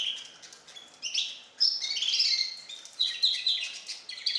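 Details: Goldfinch hybrid, four months old and learning nightingale song indoors, delivers a fast twittering run of high chirps, trills and held whistled notes, rising and falling in short phrases.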